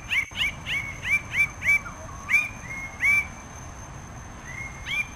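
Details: Red bird-of-paradise (Paradisaea rubra) giving a quick burst of clipped, ringing notes that slows into a few longer drawn-out upslurred calls, with a thin steady high tone behind.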